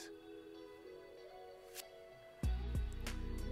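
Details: Soft sustained musical tones, then a louder rhythmic music passage with bass beats; no animal voices are heard.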